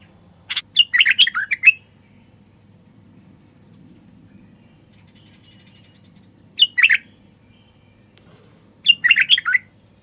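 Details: Common bulbul male song used to stimulate reluctant wild bulbuls and females toward mating: three short bursts of liquid, jerky warbling separated by long silences.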